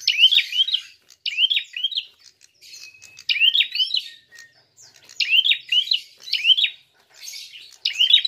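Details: Prinia fighting call meant to provoke other birds: bright, quick upslurred chirps grouped in short bursts, roughly one burst per second, separated by brief silences.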